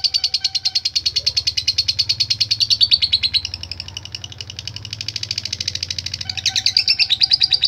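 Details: Lovebird singing in the latah gacor style, a song used to call rivals in bird contests: a fast, unbroken chatter of high, buzzy notes, about three per second, with a brief quieter dip midway before resuming strongly.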